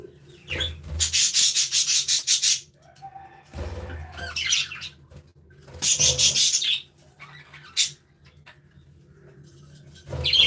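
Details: Budgerigars in an aviary, a group chirping and playing together: loud bursts of harsh, scratchy chatter, each lasting about a second or two, separated by quieter gaps with soft low thumps.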